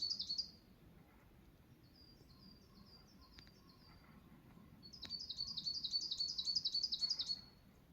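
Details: Wild songbird singing in low mountains of Saitama, Japan: high, thin trilled phrases of rapid repeated notes, one at the start and a longer louder run near the end, with fainter distant notes between.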